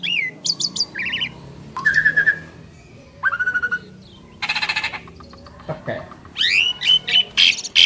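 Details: Asian pied starlings, two birds, duetting: short bursts of quick trilled notes, buzzy harsh chatters and whistled rising slurs, separated by brief quiet gaps.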